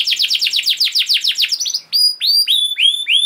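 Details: Singing canary, a lure for caged canaries: rapid downswept high notes repeated about every tenth of a second, then slower clear rising whistles with harmonics.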